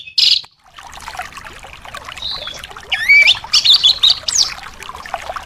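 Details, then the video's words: Thrush song played as therapy for caged thrushes that are reluctant to sing: a loud brief burst, then varied high whistled and warbled notes over a dense chatter of other birds. "terapi anis males bunyi/anis macet"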